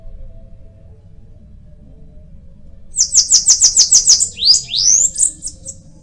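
A Bananaquit gives a quick, high, buzzy song: a fast stutter of about eight thin notes, then a few hissing rising and falling slurs.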